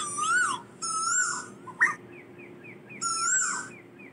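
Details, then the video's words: Asian koel calling the flock, giving drawn-out whistled notes that rise then drop, separated by pauses, with a faint run of short quiet notes in the gap and a constant low hum. "Tiếng chim tu hú gọi bầy"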